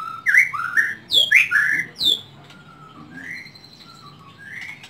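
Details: Pet white-rumped shama, Indonesia, whistling clear, swooping phrases: loud rising and falling slurred notes with sharp high accents in quick succession, then softer, spaced single whistles trailing off.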